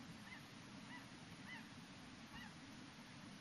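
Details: A flock of snow geese near Yellowknife at sunset on May 12, 2015, giving faint, high, nasal honks about every half second, partly buried under a steady rushing wind or background roar.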